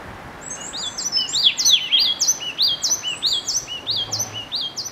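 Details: Yellow tit giving a rapid series of high, sharp, up-slurred chirps in overlapping phrases, several notes per second, loud and clear with a quiet background.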